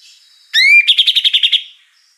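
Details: Oriental magpie-robin, a champion bird used as song-training material, giving a rising whistled slur with overtones followed by a quick run of seven rhythmic buzzy notes, with no other sounds.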